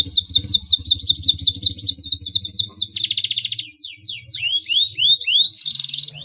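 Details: Gacor canary singing meant to make other canaries join in: a fast run of repeated downward-swooping whistles, a buzzy rolled trill, more varied swoops, and another rolled burst, over a low steady hum.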